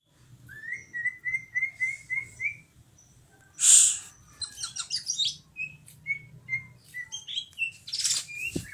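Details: Greater green leafbird singing actively: a run of seven short rising whistled notes, then a burst of sharp high chips and a varied string of clear whistles, bright and fast, over faint low background hum.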